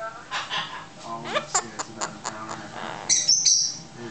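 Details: Pet Hahn's macaw doing its evil laugh on its owner's request: a burst of rasping, rising laugh-like notes, then clipped staccato hoots and a shrill squeak near the end, with the owner talking over it.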